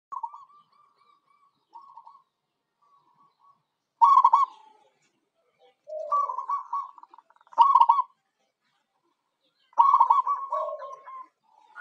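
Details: Local zebra dove (perkutut lokal) song used as a lure for wild birds: faint soft coos at first, then loud rolling, stuttered coo phrases at about 4, 6, 7.5 and 10 seconds, with lower short coos between.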